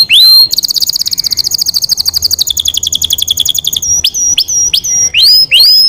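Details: Loud canary song opens with a swooping whistle, then a rapid, even trill of clipped notes that slowly drops in pitch. Separate bright upward-and-downward whistles close the phrase.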